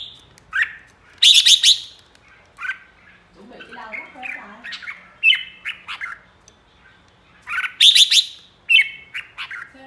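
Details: Red-whiskered bulbul, a flock leader, giving its ché song: bright, fast warbled phrases with sharp high whistled notes in bursts every few seconds, and a soft muffled rustling patch midway.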